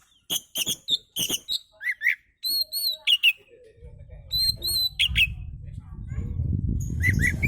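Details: Relaxed Oriental magpie-robin song meant as a lure for other birds: a fast string of sharp chips, then clear high whistles; low rumbling background noise builds up in the second half.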